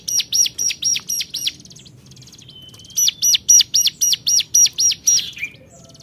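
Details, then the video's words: Hill prinia calling out to rivals with two bursts of high, arched chip notes, roughly four a second. A thin steady whistle and faint ticking fill the quiet gap between the bursts. "Cuap cuap cuuapp, Burung Cigun Gacor Memanggil Lawan"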